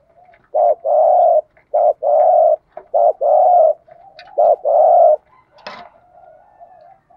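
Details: Spotted dove coos in the Thổ Đồng voice style with a thúc gù rhythm, used to train and stimulate decoy doves. Short low hooting notes alternate with longer held coos in quick phrases, and faint clicks are heard near the end.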